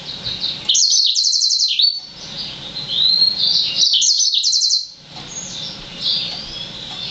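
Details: Six-month-old Yellow-fronted Canary x Black-throated Canary hybrid (Serinus mozambicus x S. atrogularis), whose song should improve with maturity, sings two bright bursts of high, fast trills and sweet twittering linked by softer warbled phrases.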